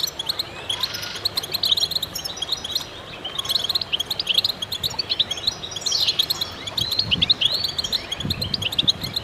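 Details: Chorus of goldfinches singing together, meant to stimulate other birds: dense, overlapping high twittering with bright chirps and short tinkling trills that run almost without a break, plus a few sweeping notes.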